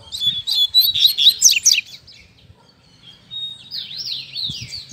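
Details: A captive male double-collared seedeater at a gathering of caged birds, singing more openly today, gives a bright, high twittering song of quick trills, then rising-and-falling whistled slurs, with faint voices and room noise beneath.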